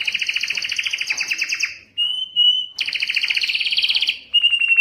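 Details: Belgian canary song meant to stimulate hens for mating: fast rolling trills that descend, a sustained pure whistle, then renewed rapid pulsed rolls ending in a held whistled note.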